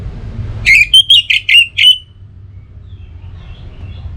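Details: Orange-headed thrush singing, a recording meant to spur other birds into song in the morning and evening: six loud, clipped whistled notes in about a second, then quiet with faint low rumble.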